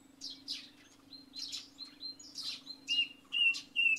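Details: Song thrush singing in early morning after overnight rain, repeating a clear whistled phrase three times amid house sparrows' chirping, over a steady low hum.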